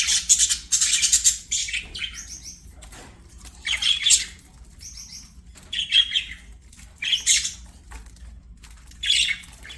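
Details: Budgerigars chattering at play: bursts of high, rasping warble mixed with short whistled notes, coming in clusters every couple of seconds with quiet gaps between.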